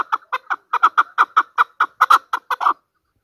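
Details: Chukar partridge, the national bird of Pakistan, delivers an even train of about sixteen loud, hoarse chuck notes in under three seconds, ending abruptly in silence.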